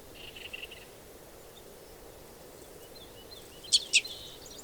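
Red Crossbill giving two sharp, high 'kip' notes in quick succession near the end, after a faint run of softer chips, over a quiet hiss.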